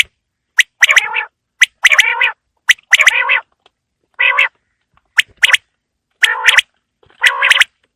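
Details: Quail calling on a winter evening. Sharp pip-pip notes run into harsh, buzzy rattling phrases, repeated about once a second for eight seconds, loud and close, with no other sounds.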